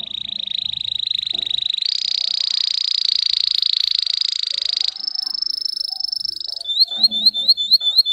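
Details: Green Russian canary, a song-bred singer, delivering long rolling trills held steady at high pitch, jumping up in steps partway through, then ending in a quick series of repeated upswept chirps; faint low room sounds.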